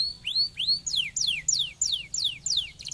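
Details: Canary singing to get other canaries going: two rising arched whistles followed by a regular series of sharply descending whistled sweeps about three per second, closing with a fast fluttering trill.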